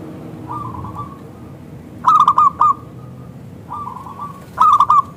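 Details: Local Indonesian zebra dove in full, thick, clear voice, used as a lure to make other zebra doves answer; a soft rippling coo phrase, then a loud clipped burst of three or four notes, repeated twice.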